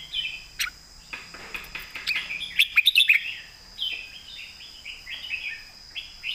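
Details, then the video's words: Thai competition red-whiskered bulbul singing its thick-toned core song: a run of sweet rising and falling whistled phrases, broken midway by a cluster of sharp clicks, then more warbling. "ใส่เต็มทุกดอก"แกนเสียงหนา เพลงแม่บท/นกแข่ง"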